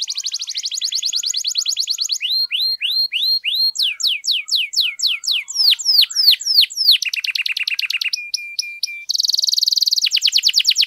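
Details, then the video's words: Singing canary, long and intense, aimed at rousing a silent canary: a dense buzzy roll gives way to hooked whistles, sweeping downslurs, a low steady trill and a pure held tone, ending in a high rapid roll. "KENARI GACOR PANJANG, AMPUH NAIKKAN EMOSI KENARI MACET AGAR CEPAT BUNYI"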